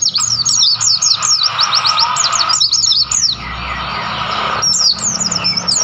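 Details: Wild white-eyes on Mount Lawu in the mountains near Tawangmangu, Indonesia, twitter in quick, very high, thin chirps, several each second and sometimes overlapping, over a steady faint hiss of natural background.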